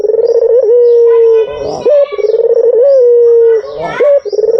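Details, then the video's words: Deep, level coos from a white Barbary dove calling as a lure, each about a second long with a quick upward kink, repeated steadily. "SUARA BURUNG PUTER PUTIH || PANCINGAN PALING AMPUH || SUARA BURUNG PUTER MERDU"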